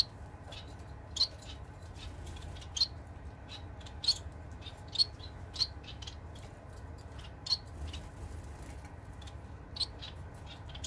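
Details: An indoor Society finch recorded 15 April 2021 gives short, sharp high chirps, singly and about a second or two apart, over a steady low indoor hum.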